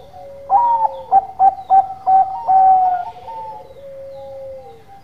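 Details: A Bangkok zebra dove sings actively, giving a row of five or six sharp, stuttering coo notes in quick succession, followed by longer level tones and a slowly falling final note.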